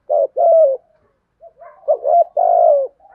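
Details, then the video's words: Giọng thổ style thúc gù from a spotted dove: a mellow two-note coo, a quiet murmured gap, then a stuttered triple coo ending in a long, slightly falling hoot. "cu gáy thúc gù giọng thổ"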